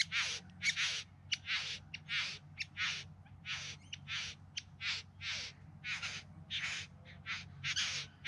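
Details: Bowerbird singing during courtship display, in the Yarra Valley just outside Melbourne in September 2020; harsh, buzzy rasping bursts, about fifteen in eight seconds at uneven spacing, over a steady low background hum.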